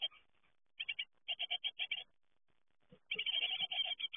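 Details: As great tit fledglings leave the nest, clipped high chirps come in short series, then a pause, then a dense, excited run of grating notes.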